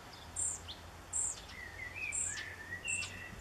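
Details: A young European pied flycatcher calls for its parent in a backyard in June 2013, giving sharp high chirps spaced under a second apart. Lower gliding whistles from other garden birds run beneath.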